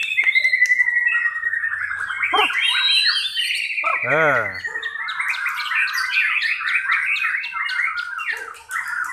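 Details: White-rumped shama, pastol class, in a simulated singing contest: rapid, dense stream of chirps and whistled trills, varied and continuous, with a brief nasal, voice-like sound near the middle.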